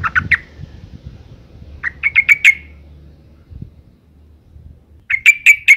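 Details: Breeding female sooty-headed bulbul calling to draw males to sing. Three bursts of rapid, harsh, buzzy chattering, each of four or five notes, separated by pauses of over a second, with faint low rumbling between.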